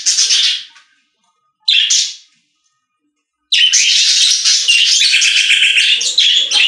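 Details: Several budgerigars singing in a pet store: bursts of buzzy, scratchy chirps and warbles high in pitch, two short outbursts followed by a long continuous chattering warble.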